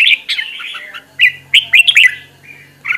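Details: Red-whiskered bulbul kept as a training decoy, singing fiery song meant to train other birds' voices. Rapid burbling whistled notes, then a tight burst of three or four bright phrases and a final short note. Faint low hum present.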